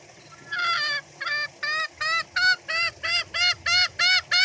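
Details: Green junglefowl cackling ('ngekek') to call its companions, a sound used as a lure to draw other green junglefowl to answer. Harsh, nasal, harmonic notes repeat about three times a second, growing louder, over a low background murmur.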